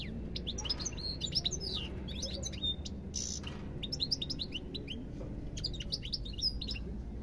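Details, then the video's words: Sustained European goldfinch song: rapid bursts of tinkling, twittering notes and whistled slurs, with a brief harsh buzz near the middle and a low steady hum underneath. "ربع ساعة من تغريد طائر الحسون"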